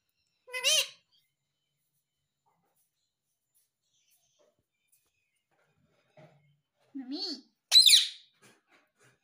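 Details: Talking pet parrot indoors, taught to say mummy and papa: a short harmonic, rising-falling call, then after a long silence two more bright, harsh, strained calls close together near the end.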